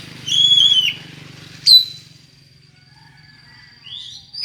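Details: Oriental magpie-robin with an unusual voice, played to stir other magpie-robins into singing: a long clear whistle with a slight dip, then a sharp downward note and, after a pause, a rising whistled sweep.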